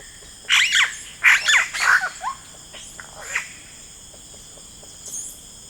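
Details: In rainforest, a yellow-rumped cacique gives three loud, harsh, rasping squawks with gurgled tails in quick succession, then softer scattered notes and a faint high chip, over a steady insect drone.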